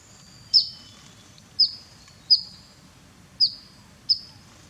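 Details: Grey-headed canary-flycatcher bathing in the wild in Cambodia: five sharp high chips with short buzzy tails, about one a second, over a faint low background hum.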